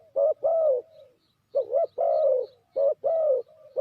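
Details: Trapping-lure spotted dove coos three times in pairs: a short dipped note and a drawn-out mellow coo, the last trailing off softly; faint high chirps in the background.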